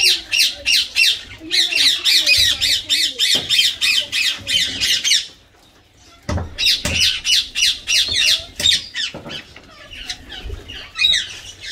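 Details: Pet Indian green ringneck parakeet bathing and playing in water, uttering a fast, rhythmic chain of harsh screeches, roughly three a second, then a brief quiet gap before more irregular squawks resume.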